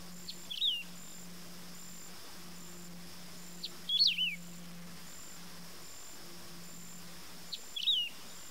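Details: Three short high whistled phrases of a wedge-tailed grass-finch (canário-do-campo), each a sharp upward slur then a falling wavering note, spaced roughly every three to four seconds against a constant insect drone and low hum.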